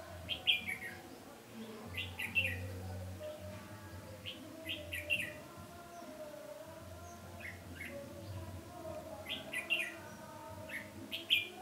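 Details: Red-whiskered bulbul singing as a decoy to attract and fight wild birds while trapping, 20 November 2015; clusters of sharp, warbled chirps repeated every two to three seconds, with steady low-frequency hum.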